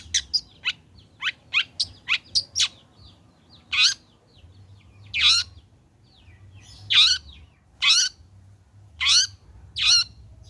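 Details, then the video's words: Singing long-tailed shrike (cendet), a recording for prompting other shrikes to sing: quick series of thin high ticks, then loud down-slurred whistles spaced about a second apart. "Burung Cendet Gacor Selepas trotol PANCINGAN CENDET AGAR BUNYI jadikan cendet langsung Gacor"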